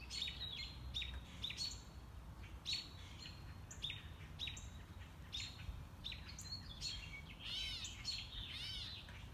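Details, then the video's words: Unseen wild mockingbird singing enthusiastically during a morning walk: rapid changing phrases, sharp repeated chips, then looping buzzy slurred notes, all over a constant low background hum. "Mockingbird - Morning Walk"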